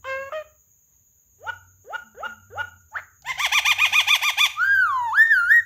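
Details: A talkative Javan myna, a contest prospect that can speak, gives short rising whistles spaced about half a second apart, then a fast burst of looping harmonic notes and long wavering, slurred whistles.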